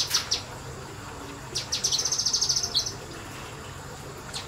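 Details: Kinoi bird singing nembak, the rapid shooting style, in semi-wild conditions: a few sharp high chips, then a quick run of bright, evenly spaced high notes lasting about a second, with faint background hum.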